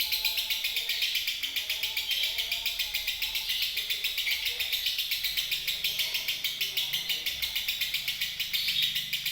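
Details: Unbroken lovebird chattering in the Indonesian konslet style, fast regular high-pitched pulses, nearly four per second, forming a shrill buzzing ribbon of sound throughout.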